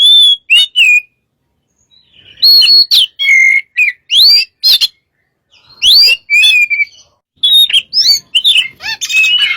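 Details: Energetic Oriental magpie-robin song used to provoke other birds: phrases of bright rising whistles and rasping chatter, separated by short silences, ending in a busy tumble of mixed notes.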